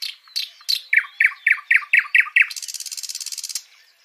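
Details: A nightingale sings live, repeating a loud, down-slurred note about eight times at an even pace, then breaking into a rapid, buzzing trill for about a second.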